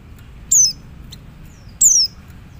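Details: Male Oriental white-eye calling to other white-eyes: two thin, very high, downslurred whistles about a second and a half apart over a low, quiet background hum.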